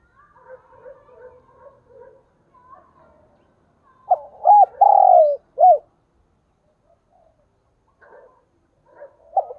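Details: Decoy spotted dove cooing to call in thúc bổi style: faint soft murmuring coos at first, then one loud phrase of a short note, an arched note, a long hoarse note and a final arched note, followed by quieter trailing calls.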